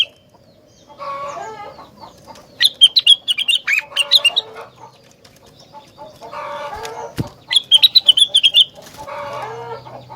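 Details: Rengganis pouring out song that sets off other rengganis: rapid high chirping runs of about a second and a half, alternating with lower rasping chatter and clucks, plus a couple of sharp knocks.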